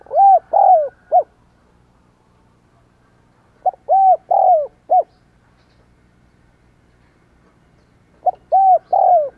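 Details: Decoy spotted dove, "Giọng Đồng Còi" voice, calling to lure wild doves: three bursts of mellow, low coos, each burst three or four arched notes ending in a short clipped hoot, separated by silent gaps of about two seconds.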